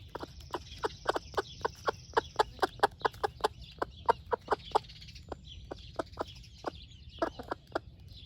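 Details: A steady, rhythmic series of clear clucks, roughly three per second, from a broody splash laced red wyandotte hen sharing breakfast with her chicks. High chick cheeps stream behind, then the clucks thin out.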